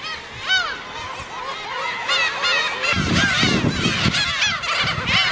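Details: Black-tailed gulls (Larus crassirostris) at a breeding colony on the uninhabited Gyeokryeolbiyeoldo islands, 55 km west of Taean, Korea, in mid-April: a dense chorus of overlapping nasal, cat-like mewing calls as birds compete for nest sites, with wind or surf rumble.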